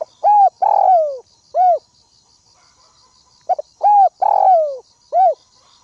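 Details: Decoy spotted dove on the ground, calling to provoke rival doves: two cooing phrases, each a short coo, a long drawn-out falling coo and a final short coo, with crickets buzzing steadily in the background.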